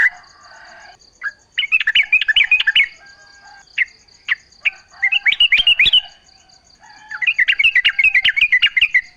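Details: Yellow-vented bulbul lure song to make other bulbuls call back: three busy bursts of fast, rolling, bubbly notes, each burst lasting about a second or two, with isolated sharp chips between, and a continuous high insect-like hum.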